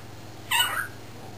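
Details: Caged young male cockatiel, not yet a year old and developing its talking, kept in while people work outside in the driveway; a single short, bright harmonic utterance, slightly falling, against low background hum.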